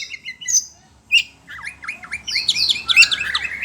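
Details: Caged kacer (Oriental magpie-robin) reacting excitedly to other birds' sounds: a few sharp isolated chips, then a dense burst of overlapping whistles and buzzy slurred phrases.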